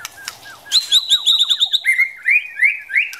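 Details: White-rumped shama, female urging the male to rehearse his song: a quick train of high, evenly spaced descending notes, then several longer rising whistles in steady succession.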